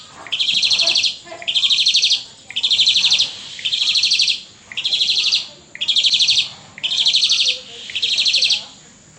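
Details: ['Asian pied starling in the pumping song style, giving a steady series of eight rasping, buzzy bursts at even intervals, with faint background noise between them.']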